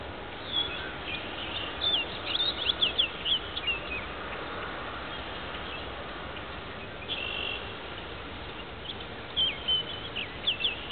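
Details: Male Orchard Oriole singing in the twilight hours at Marais Temps Clair Conservation Area, northern St. Charles County, on 28 May 2010; quick bursts of high, varied whistled and chattering notes in separate phrases, with steady background hiss.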